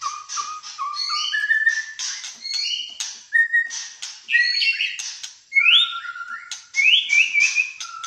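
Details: White-rumped shama from Malaysia singing energetically in fighter style, a varied stream of clear whistled notes, rising slurs and short chattering phrases, some high and others lower and flute-like.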